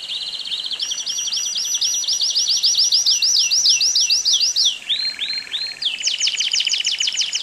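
A Belgian canary sings fast rolling trills of high, rising notes, then shifts to a lower repeated phrase and a quicker, sharper trill at the end.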